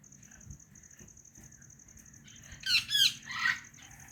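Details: White ringneck parrot, quiet at first, then a cluster of three shrill, raspy screeches near the end, each under half a second, over a steady faint high whine.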